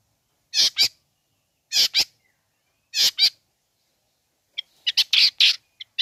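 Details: Long-tailed shrike sounds meant to provoke other shrikes: loud harsh double rasps repeated about every 1.2 seconds, followed by a quick run of scratchy chattering notes.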